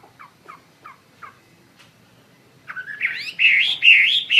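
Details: Chinese hwamei singing lively: four short downslurred chirps spaced about a third of a second apart, a pause, then a loud burst of rising, warbling whistled phrases climbing in pitch.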